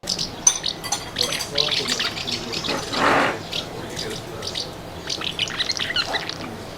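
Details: House martins (Delichon urbicum) in summer give their rapid chattering call, quick dry chirps running on through the clip, with a brief voice speaking partway through.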